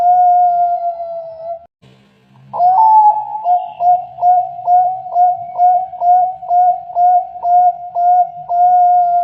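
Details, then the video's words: Zebra dove song: a steady mellow whistled note breaks off, soft low murmuring notes fill a short gap, then a slightly rising opening note leads into a long string of short pulsed cooing notes, about two each second. "Suara Perkutut"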